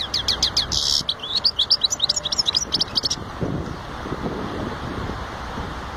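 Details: European goldfinch giving a fast run of bright, high chirped and twittered notes for about three seconds, then falling silent, leaving only a low steady background rumble.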